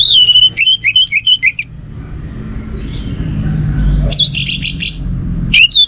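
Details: Orange-headed thrush song played to stimulate other birds to sing: loud whistled phrases near the start, a gap of low background hum, then bright rising notes and twittering bursts returning near the end.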